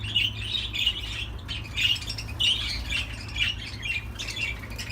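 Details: Budgerigar warbling in a busy run of squawks, chirps and scratchy notes. Short quiet gaps break it up, and a constant low electrical hum runs underneath.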